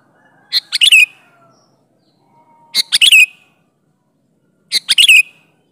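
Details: Kutilang, the sooty-headed bulbul, giving lively natural-style song meant to lure other bulbuls: three quick burbling phrases about two seconds apart, each a few clipped notes ending in a drawn-out slur. A faint thin whistle sounds between them.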